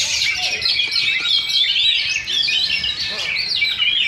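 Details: Caged Oriental magpie-robins singing against each other at a Sindanglaut Sunday practice contest, second session: bright, rapid twittering and rising whistles densely layered, a faint voice in the background.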